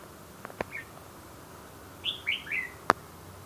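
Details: White-rumped shama: three quick, bright whistled notes, each slurring downward, sung in a tight run midway, preceded by a faint short chirp and sharp clicks, with one loud click near the end over quiet background.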